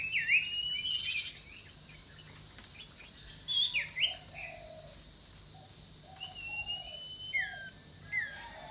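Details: Common iora making scattered high notes that slide down and up, plus a few drawn-out whistles, separated by quiet gaps. Softer, lower chirps sound in the background.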